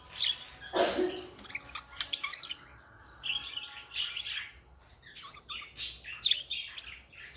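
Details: Budgerigars kept as pets give a loud harsh squawk near the start, then keep up scratchy warbling chirps and squeaky notes in uneven bursts.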